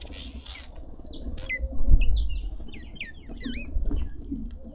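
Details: Red-winged starlings feasting in a suburban garden in Pretoria, South Africa: a burst of wing flutter, then a run of clear, curving whistled notes that rise and fall, several in quick succession, over soft chatter from other garden birds.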